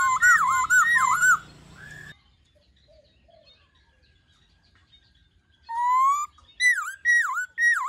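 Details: Laughingthrush singing many voices in a wild-forest style, meant to coax and train young birds: bright looping whistles repeated rapidly for over a second, a long quiet gap, then rising whistles and swooping, rapidly repeated notes.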